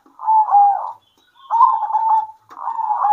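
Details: Local zebra doves singing in turn at midday: three short bursts of soft, trilled cooing, each about a second long with brief silent gaps.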